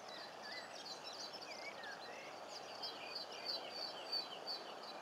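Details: Common linnets at the coast in Cornwall giving fast, thin twittering and chirping calls, continuous through the clip, against a constant rush of wind and sea.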